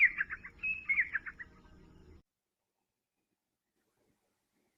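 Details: A grey francolin gives its rising call at daybreak, claiming its night roost as it sets out to feed: a quick two-second burst of loud, ringing, repeated notes over a low hum, then silence.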